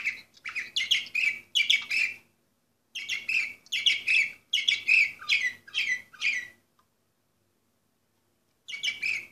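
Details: Orpheus-breed canary singing in bursts of rapid, chattering, slightly harsh notes, two phrases of about two seconds each separated by short silences, with a further phrase starting at the end.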